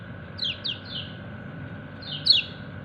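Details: Kecial kuning white-eye calling its companions: two bursts of high, sharply descending 'ciak' chirps, the first a short run of softer notes, the second a louder, bright note, over a low background rumble.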